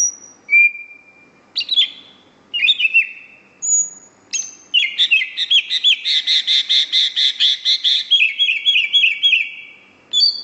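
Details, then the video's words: Greater green leafbird singing gacor, tirelessly: long clear whistles, then a fast rattling series of repeated buzzy rising notes for several seconds, ending in bright chirps, with faint low background hum. "Kicau Cucak Hijau Gacor ..... Sampai Teler"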